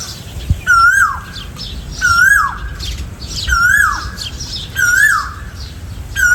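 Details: Repeated Asian koel whistles, each a level note bending up and then sliding down, spaced about every one and a half seconds, with faint high twittering in the background.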